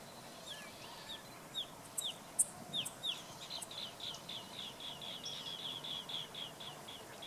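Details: Jerdon's minivet pair foraging on the ground in Myanmar: thin, high downslurred chirps, then a quick run of bright repeated notes, about four a second, over faint background hiss.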